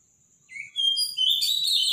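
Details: Robin song at morning: a thin whistled note, then a rising, warbling burst of high bright notes building quickly at the end, against a steady faint high-pitched tone.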